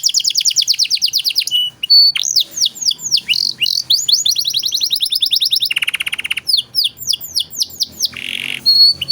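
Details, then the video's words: Canary singing gacor cengkok mewah, a masteran recording meant for training songbirds such as magpie-robins: loud rapid trills of falling notes, sweeping chops, buzzy low rattles, and a clear sustained whistle closing the phrase. "Masteran Kenari Gacor Cengkok Mewah untuk Burung Bahan"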